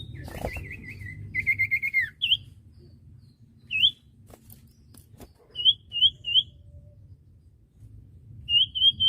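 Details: Scattered common iora phrases for training untrained birds: a wavering whistled warble, then short upslurred and hooked whistles spaced by pauses, some in groups of three, with a faint low hum and thump.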